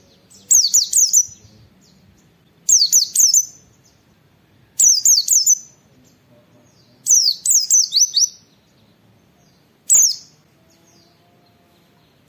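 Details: White-eye singing the rapid wit-wit style used to master and stimulate other white-eyes: five regular bursts of three to five high, falling zigzag whistles, about every two seconds, then a single note near the end.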